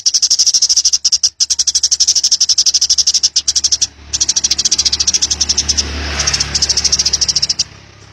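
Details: House sparrow singing wild 'ngalas' style for training: a long, steady run of rapid, high-pitched chirps, with a low rumbling background noise midway.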